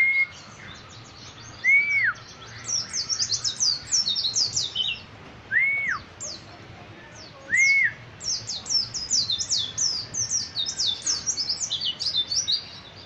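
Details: Bali white-eye of the Dakun Kintamani type singing: rapid high twittering phrases, interrupted by separate loud, clear, arched whistles that rise and fall.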